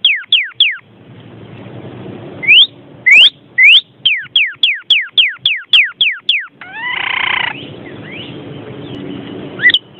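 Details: Vermilion cardinal: a run of clear, loud, downslurred whistles repeated several times a second, broken by a few sharp upslurred notes and a short harsh buzzy burst, over a faint low background hum.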